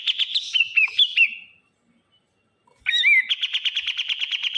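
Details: Bulbul, called burung kapas, giving loud noisy calls: a run of sharp chirps with quick rising and falling notes, a short silence, then a fast, even, buzzy rattle of repeated notes.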